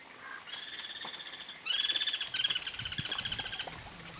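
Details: Free-living guira cuckoo in the wild: long bursts of fast, ringing pulsed notes stacked in clear harmonics. The series starts softer, then grows louder and more rattling, briefly breaking and resuming before fading.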